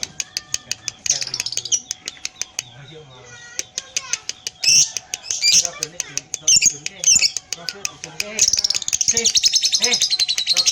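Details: Pied lovebird giving a long ngekek while its tail moves: dense, high rattling chatter builds near the end after scattered sharp ticks and brief bursts.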